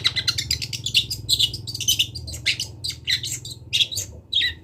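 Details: Long-tailed shrike from Kendal giving a dense mimicking song of rapid scratchy chirps and buzzy notes, about a hundred notes a minute in irregular clusters, with a faint low hum beneath.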